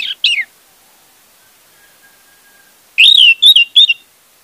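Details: Song of an orange-headed thrush serving as a lure for a silent bird: two descending slurred whistles, a long quiet stretch, then a loud rich warbled phrase with quick repeated notes.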